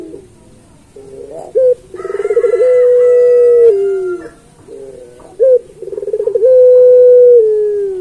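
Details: Puter pelung turtle dove singing a training song for other pelung doves. Each phrase starts with a short rising note and a rapid rolling trill, then stretches into a long level coo that sags at the end. The phrase is given twice.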